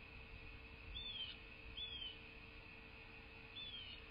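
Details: Bald eagle calling at a nest in southwest Florida, recorded by a nest cam on 11/10/2023: three thin, high, falling chirps, two close together then one after a pause, over a constant low hum.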